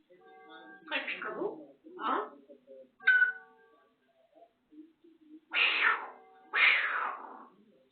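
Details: A pet African grey parrot imitating cat meows and laughter: a series of nasal, harmonic, meow-like calls and breathy bursts, some in quick pairs, with quiet gaps between.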